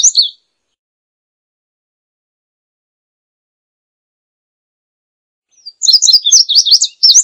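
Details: Indigo bunting: a short burst of high song at the start, long silence, then a rapid run of bright, high slurred and doubled notes for the final seconds.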